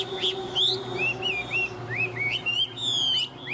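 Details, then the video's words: Tame caged Chinese hwamei singing well: clear ringing whistles, rising and falling slurred notes spaced about every half second, with a sustained high whistled tone near the end and faint low hum. "Họa mi thuần hót tốt"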